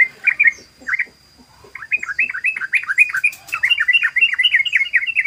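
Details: Yellow-vented bulbul in rapid 'ropel' song: a few scattered liquid notes, then a long, dense, unbroken chatter of bouncy warbled syllables repeated several times a second, growing fuller toward the end.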